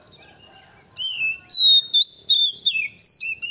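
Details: Male Oriental magpie-robin giving a lure song meant to provoke rival birds: a quick string of clear, varied whistles, some sliding up or down, others held level, packed closely over three seconds.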